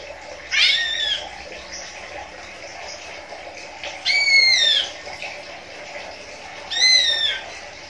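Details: A captive greater green leafbird, kept for breeding and watched for whether a pair is compatible, gives three loud, harsh, slurred calls with rising and falling harmonics, spaced about three seconds apart, over a low background hum.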